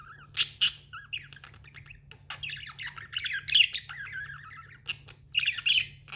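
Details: Budgie chatter with scratchy squawks and wavering warbled phrases, loud sharp bursts near the start and end, a soft steady hum in the background.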